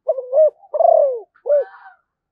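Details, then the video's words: Spotted dove of the Malaysian strain cooing one complete phrase: a soft two-part opening coo, a long rolling downward purr, then a short closing coo trailing into a faint higher tone. "chim cu gáy malaysia/ cu gáy malaysia"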